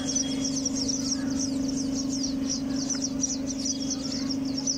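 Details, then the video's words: Several sparrows at a nest in a house keep up quick, high, squeaky chirping at about two notes per second, set against a constant low droning hum. "Sparrows sound"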